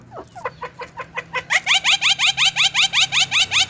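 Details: Javan myna delivering a steady series of upswept harsh notes, about three per second, that start softly and become louder and richer partway through.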